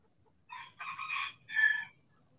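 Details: Backyard rooster crowing in the sun: a harsh three-part cock-a-doodle-doo lasting about one and a half seconds. A short opening note, a longer rough middle and a final note that ends on a brighter, higher tone. Quiet background.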